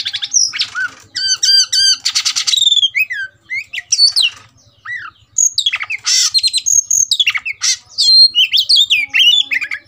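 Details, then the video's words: Oriental magpie-robin singing while provoked to fight, agitated and restless; loud, varied phrases of sweet whistles, rapid trills and harsh buzzy notes, with falling slurred whistles and quick repeated chips in bursts, short pauses between. "BIKIN EMOSI dasar Kacer "EDAN" tarung tak mau diam"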